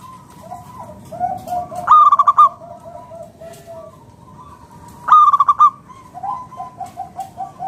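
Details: A Zebra Dove's cooing song, used to coax other doves into calling: two loud rattling bursts of fast coo notes, while fainter doves keep up soft, even, repeated coos in the background.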